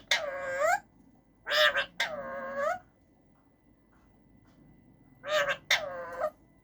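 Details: Caged male rose-ringed parakeet uttering harsh, strongly harmonic drawn-out calls that slide slightly downward, in two pairs separated by a few seconds of quiet.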